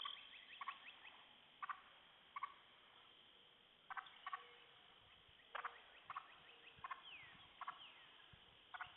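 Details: Alarmed wild turkey hens, freaked out by a poacher calling up the hill at sunset, utter sharp, harsh putts and clucks at irregular one-second intervals, some doubled; faint high insect buzz and a descending whistle-like sweep behind.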